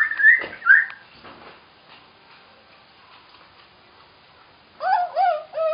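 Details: Common hill myna vocalizing: two loud, rising whistled notes within the first second, a long quiet stretch with faint clicks, then a closing burst of three nasal, harmonic-rich calls in quick succession.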